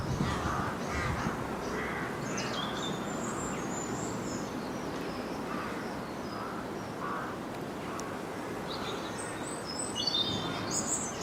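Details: Rook colony in March, birds at treetop nests with young and bringing food to the chicks; a series of rough, throaty caws at irregular intervals over constant background hiss, small birds twittering high above.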